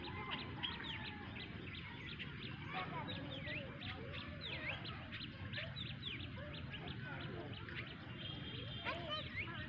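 Black myna chatter: a dense run of varied whistles, squeaks and harsh chirps, several birds calling over each other, with a low rumble of background noise.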